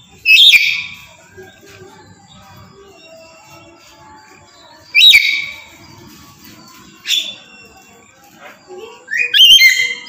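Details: Tame black-capped lory giving loud, shrill screeching calls in short bursts with strong overtones, four separated outbursts over ten seconds with quiet pauses between them.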